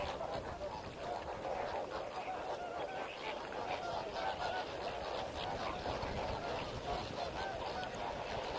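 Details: A noisy wild flock of lesser and greater flamingos at Comfort Dam in Kimberley, Africa, one of four African breeding grounds, with lesser flamingos present in large numbers; dense overlapping nasal honks sound continuously, with constant background hiss.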